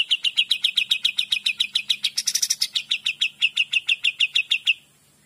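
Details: Cream-vented bulbul (kapas tembak) singing 'gacor dor' steadily: a long run of rapid, uniform ringing notes with a scratchy flurry in the middle, ending abruptly into silence; a low hum underneath.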